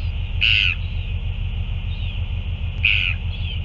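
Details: Northern royal albatross, 9 February 2024, during feeding: a pair of bright, squeaky, harsh calls about two and a half seconds apart, with faint slurred notes after each, over a persistent low rumble.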